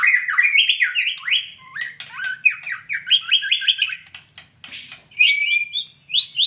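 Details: Female white-rumped shama singing repeated, fast downslurred whistles in quick series, broken by brief clicks, then ending on higher rising notes.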